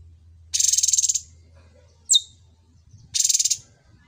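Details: Cucak cungkok, a bird that has been trained on other birds' songs: two harsh, buzzy, rattling bursts about half a second long, separated by a single sharp descending note, over a faint low hum.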